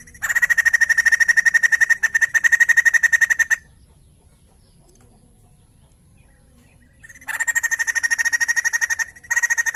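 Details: Actively singing white-crested laughingthrush, used to stimulate other birds to sing: two long bursts of fast, loud, repeated ringing notes, about four each second, separated by a gap of near silence.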